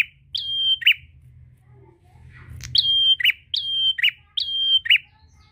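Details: Prinia challenging a rival: after one whistle-and-buzz phrase and a quiet stretch with a low thump, three more quick phrases follow, each a flat high whistle closing on a lower buzzy chirp.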